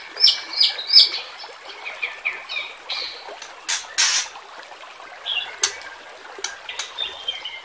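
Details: White-rumped shama song meant for training young competition birds, mixed with trickling water: bright, sharp whistled notes repeated quickly at the start, then scattered varied chips and short phrases over a steady watery hiss.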